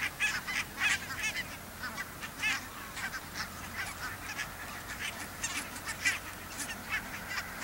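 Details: Pink-footed and Brant geese near the Borreby bogs, very low land with much water. Scattered, distant honking in uneven bursts, louder clusters near the start, over faint background noise.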